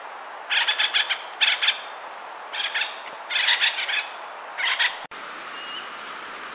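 Acorn woodpecker giving harsh, raspy waka-waka calls in quick bursts of several notes, repeated about every second, followed by a sharp click and a faint whistle.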